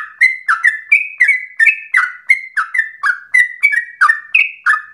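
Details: Sooty-headed bulbul singing rapidly and insistently to provoke and train other birds: about fifteen evenly spaced chirps in five seconds, bouncing between a higher clear note and a lower rougher one.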